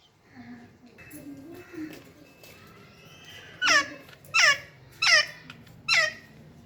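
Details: After soft murmuring, a parrot in the morning gives four loud, falling, harsh squawks spaced under a second apart in a small room.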